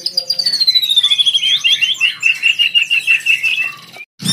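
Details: Fighter white-rumped shama singing a lure song meant to invite a rival to answer; a long high whistle slides slowly downward under rapid chattering notes repeated about three times a second, then stops with a brief low thump.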